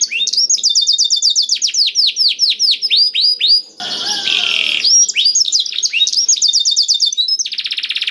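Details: Black-throated canary singing as training material to spur other canaries: rapid series of high falling notes in rolling trills, interrupted midway by a harsher buzzy passage, then resuming with quick repeated trills.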